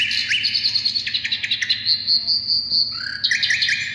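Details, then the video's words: Asian brown flycatcher in lively song, used as a lure and as training song for other songbirds: a long, steady high whistle overlaid with quick chips, then a run of lower, rising whistled notes. "sikatan londo gacor suara istimewa buat pancingan burung kalian"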